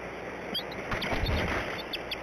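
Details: A female Bald Eagle at the Decorah nest, with hatchlings, softly gives a tea kettle call of thin, high, squeaky piping bursts as the male flies in with a huge suckerfish, 4 April 2017 around 19:04; wind hiss and a brief rustle.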